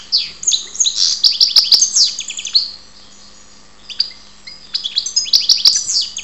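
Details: Lively song of a European goldfinch kept in Ptolemaida, Greece: fast tinkling, buzzy twittering phrases with repeated bright chirps, a brief pause near the middle, then another rapid twittering run, in a quiet room.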